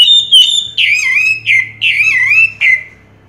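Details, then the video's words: Rich whistled notes that slur downward, several in a row with short breaks, sung by an orange-headed thrush crowned first-place champion in 2022. "Suara Burung Anis Merah Juara Pertama Tahun 2022"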